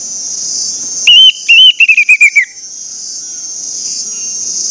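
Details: Orange-headed thrush lure song meant to make other thrushes sing: two ringing whistles followed by a fast, falling trill of short whistled notes, set against a continuous high cricket-like hum.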